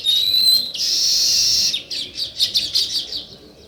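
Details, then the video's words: Sparrow chirping sounds: a clear high whistle and a loud dense burst of chatter, followed by a string of separate quick chirps that fade out. "Natural Sparrow Chirping Sounds"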